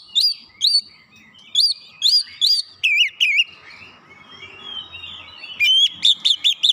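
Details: Lure song of an Oriental magpie-robin, meant to provoke a stubborn, immediate reply and reveal its learned material: separate bright whistled notes, a short warbling run, a quiet gap with faint background hiss, then a fast string of repeated whistles.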